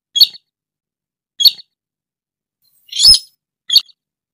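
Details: Call of a rail known as sintar or tikusan, used to lure birds for trapping: three quick high chirps and one longer harsh rasping note, well separated, with no background sound.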